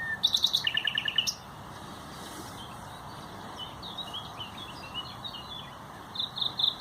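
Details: Common nightingale song recorded 30 April 2021: a fast series of loud, pulsed, repeated notes alternating between higher and lower pitch, followed by quieter warbled phrases and another sharp outburst at the end.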